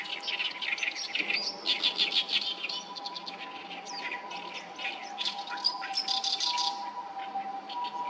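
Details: Many oriental reed warblers call loudly by the Sawatari River on 7 June 2024. The song is dense, scratchy chattering with rasping phrases in rapid succession from overlapping singers, over a steady low hum.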